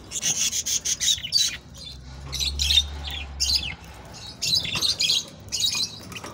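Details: Budgerigars warbling to encourage mating, a rapid string of high, buzzy chirps and chattering notes in close bursts, pausing briefly midway, over a soft low hum.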